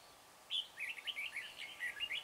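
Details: Red-whiskered bulbul decoy singing to lure wild birds at a trapping site at Chua Huong, recorded on 24 March: a quick run of bright warbled chirps, rising and falling, after half a second of quiet, over steady background hiss.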